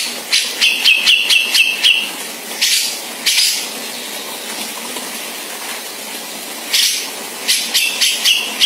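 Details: Sumatran grey-cheeked bulbul gives its dominant harsh, hissing rasps in quick clusters of about four per second, with a short high whistled phrase early on.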